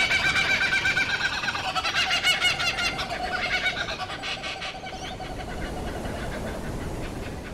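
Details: Laughing kookaburra of eastern Australian bushland giving its laughter-like cackling: loud rapid chattering pulses at about three per second, fading after five seconds into quieter background.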